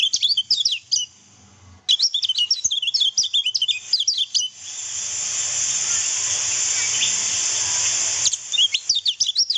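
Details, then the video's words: Lemon-bellied white-eye training song: bursts of rapid, thin, high-pitched twittering notes, broken by a pause and by a few seconds of steady high hissing before the twitter resumes. "MASTERAN KECIAL KUNING"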